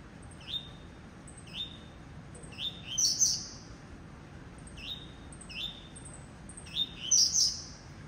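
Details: Caged blue-black grassquit, kept by a breeder, sings coleiro tuí-tuí style phrases: short high whistled notes followed by a sharp buzzy flourish, repeated about every two seconds, some phrases louder than others.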